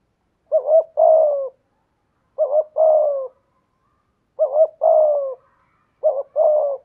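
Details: A spotted dove used as a decoy, with a voice in the 'thổ' style, repeats its phrase four times, roughly every two seconds: a quick doubled hoot, then a drawn-out, softly falling coo, in a quiet setting.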